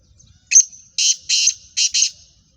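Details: A female black francolin's harsh call: a short clipped note, then two pairs of long, grating, buzzy notes, loud and evenly spaced over roughly a second, with no other sounds.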